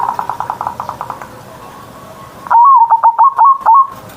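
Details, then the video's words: Zebra dove singing the ngerot morning song, used to spur silent doves into calling. Faint rapid tapping coos lead into a loud, stuttering phrase of quick wavering notes that ends in a drawn coo. "Perkutut Manggung Gacor Suara Besar"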